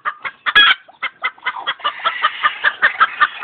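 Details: Clucking and screeching chicken, an opening burst of short clucks and a sharp squawk, followed by quick overlapping clucks over a murmur of other hens.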